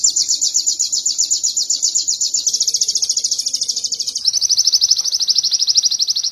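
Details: Canary song from an Indonesian training recording for cage birds: a sustained, very rapid high trill that changes to a slightly lower, steady rolling tour midway.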